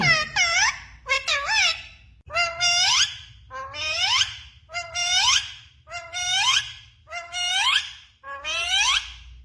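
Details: A pet talking parrot, possibly saying phrases like "mummy", "Radhe Radhe" or "Sita Ram", speaks in short, high, harmonic-rich phrases with rising and falling inflections, repeated about every second, over a low background hum.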